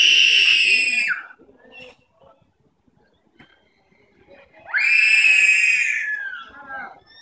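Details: White cockatoos in a park give two loud, harsh, drawn-out screeches, each lasting over a second. The second rises sharply, then slides down and trails off. A quiet stretch with faint background noise separates them.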